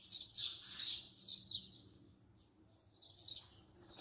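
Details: House sparrow at close range giving a quick cluster of sharp chirps, a pause of about a second, then a few more notes.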